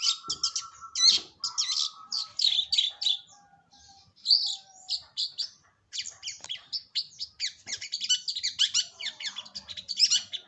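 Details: Long-tailed shrike song rich in high twittering and scratchy notes, opening over a steady thin tone, then rapid varied chatter building to dense trills toward the end.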